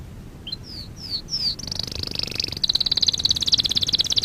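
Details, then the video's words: Singing canary for training: a few separate descending whistled slurs, then a buzzy high trill that shifts into a rapid, evenly pulsed rattle of sharp notes running to the end. "Kanarya sesi kanarya eğitim/1 canary sing"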